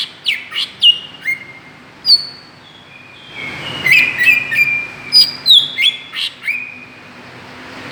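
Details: Greater green leafbird lure sound to provoke other birds: rapid sharp chirps and downward-slurred whistles, then a dense stretch of overlapping whistled notes mid-clip, followed by more clipped chirps, over a faint low hum.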